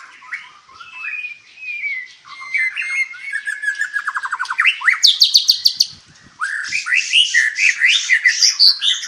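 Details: Captive white-rumped shama at a breeding farm in Palembang, Indonesia, delivering a varied song: rapid chattering rattles, then clear whistled slurs and descending trills, a brief pause, and bright high notes resuming near the end.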